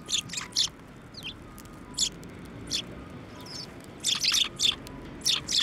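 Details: At a Tenmangu shrine in Japan on 17 December 2023, sparrows come to a bench for food, giving many quick, high, scratchy chirps, several softer notes midway, then a lively burst of rapid chirping toward the end.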